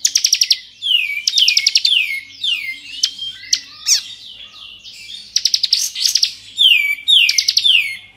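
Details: Bar-winged prinia ('kristal' variety) in energetic 'ngebren' song meant to provoke other prinias: quick rattling trill bursts, each sliding into a downward-curving whistle, repeated roughly every second with scattered chips between.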